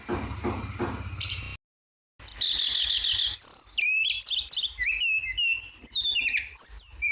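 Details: Flowerpecker giving a lively song: thin, very high twittering notes with quick rising and falling slurs and sharp chips, after a brief rough burst with low thumping noise and a short silent break.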